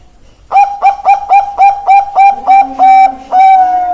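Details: Bangkok-type zebra dove (perkutut bangkok) song: a quick string of about nine staccato cooing notes, then the phrase slows into two longer, drawn-out level coos, with a faint low hum underneath.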